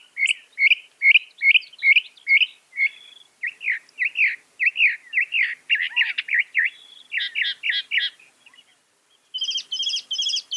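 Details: Continuous masteran song of a northern mockingbird, the bird credited with about 200 copied sounds: rapid repeated chirped phrases, shifting to buzzier slurred notes, then a fresh high stuttering phrase type near the end.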